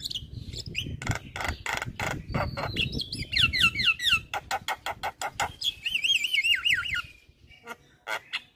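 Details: Lively Javan myna (jalak kebo) song, full of varied fill-in phrases, used to stir other mynas into singing: rapid sharp clicks and rasps, then a high warbling trill repeated in wavy loops before several final harsh notes.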